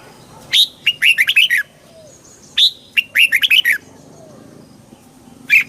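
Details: Red-whiskered bulbul singing, played to excite the bird: two lively phrases of loud, rapid chirping notes, each opening with a sharp high note, then a pause and a single closing chirp.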